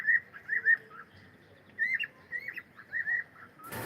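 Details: Singing cockatiel: a steady string of clear, wavering whistled notes at one pitch band, phrase after phrase, ending in a sudden loud rustle.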